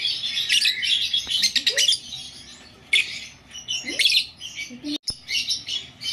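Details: Pet blue Fischer's lovebirds indoors give bursts of shrill, high chirps and squeaky chatter in clustered runs, with a person speaking Hindi in the background.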